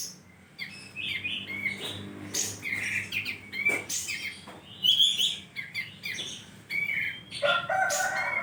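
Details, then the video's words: Bulbul known locally as kapas tembak, recorded in Mukomuko in full song: busy chattering chirps and short bright whistles, a steady stream of varied notes with a soft low background hum. "kapas tembak /blom bukor gacor"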